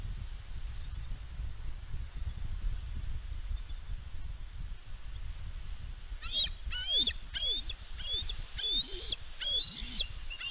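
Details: Female bald eagle at a West End nest on 4 July 2022, defending her eaglet from an intruding fledgling; after about six seconds of low wind rumble, a run of high, thin, whistled chirps rising and falling, repeated in quick bursts.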